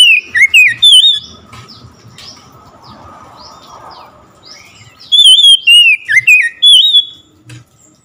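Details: Oriental magpie-robin singing in response to hearing another magpie-robin. Rapid bursts of sharp, twisting whistles are followed by a few seconds of muffled rustling, then another run of loud whistled phrases.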